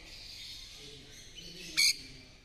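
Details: A captive peach-fronted conure (Eupsittula aurea) in Coimbatore gives one short, harsh, screechy squawk over a steady background hiss of faint, high chatter.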